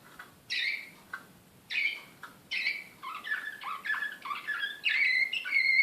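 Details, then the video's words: Excited canary singing Serbian slavujar-style song, Belgrade, Serbia, 2016: short bright whistled phrases separated by pauses, then a run of lower repeated rolling notes ending in sustained high trills. "SLAVUJAR SRPSKI"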